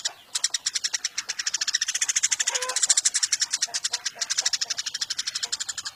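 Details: Caged Eurasian tree sparrow caught from the wild, continuous rapid chirping of regular high notes lasting throughout, with a faint lower whistled note midway.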